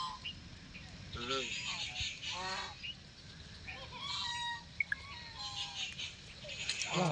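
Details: Pet white call duck quacking: two bursts of loud, nasal, harmonic-rich quacks in quick series, then scattered shorter calls, over steady high chirping of other birds and outdoor noise.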